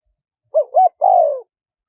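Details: Three-part coo of a spotted dove in the wild kharom pa style, high small voice, used to draw wild doves closer: two short upturned notes, then a sustained coo dropping slowly at the end. Silent surroundings.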